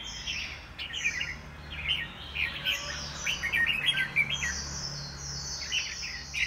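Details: Caged white-rumped shama singing in a home bird singing contest: long, clear descending whistles alternate with rapid chattering, twittering phrases, with a faint low hum beneath.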